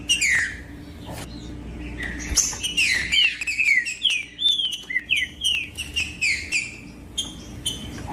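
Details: Green-winged saltator song meant to rouse a reluctant cage bird to sing strongly: loud, ringing whistles sliding downward, repeated in rapid succession of short phrases roughly every half second, with a faint background hum.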